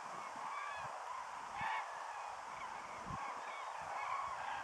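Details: Migrating flock of common cranes over Lattomeri, Pori, Finland, on 9 September 2012: distant, faint trumpeting calls from several birds rise now and then above a steady broadband background hiss.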